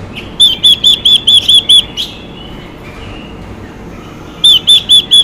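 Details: Chinese hwamei hen voice that excites male birds: a rapid string of seven ringing arched notes, roughly two seconds of quiet, then four more matching whistles.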